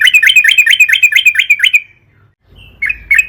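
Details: Lively yellow-vented bulbul song for luring other birds into singing: a fast series of bubbly, rollicking chirps about three per second, then near silence with a low hum and two closing sharp notes.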